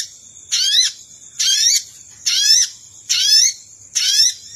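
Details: Lure call for wild Sogon birds. Five rasping upslurred notes come at a very regular rhythm, roughly once a second, accompanied by a steady thin whine.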